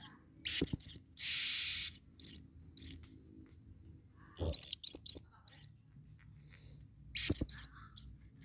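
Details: Female blue-crowned hanging parrot used as a lure in the forest: short, very high, thin squeaky chirps and buzzy bursts in scattered clusters, one longer hissing buzz near the start, with faint low background noise.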